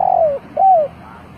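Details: Decoy spotted dove coos used to attract wild birds: a long, slightly descending mellow note followed by a bowed, falling coo, clear and close.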